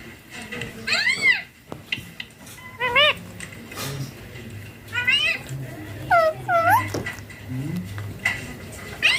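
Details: Baby green ringneck parakeet during play and feeding, producing clear, bowed, harmonic squeaks in short bursts of two or three, spaced a few seconds apart, over low human talk and a faint hum.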